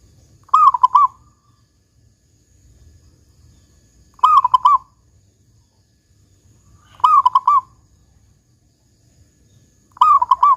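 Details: Local zebra dove in full song, the big 'kung' style: four low, rolling, tremulous coo phrases repeated about every three seconds, each a quick burst of bubbling notes, over a faint low hum.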